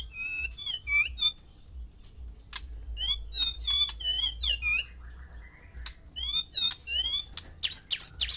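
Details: White-rumped shama, a male housed with six females to arouse breeding: bright, varied whistled song of quick rising and falling notes, interspersed with sharp clicks and a brief buzzy passage, steady hum underneath.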